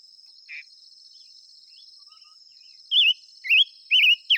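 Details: Five-coloured bird singing: after a quiet start, a run of loud, quick, warbled whistled phrases, each rising and falling, repeated about every half second, over a steady high insect drone.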